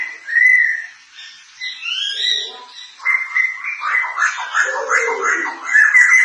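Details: White-crested laughingthrush, Thai crested form, in full cackling song: clear whistled notes, then a fast, dense chatter of repeated harsh phrases continuing to the end.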